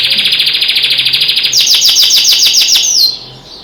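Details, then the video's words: Canary kept as a pet singing with other birds beyond the window: a long rapid pulsing trill, then a string of sharp descending chip notes about six per second, fading into silence. "singing canary"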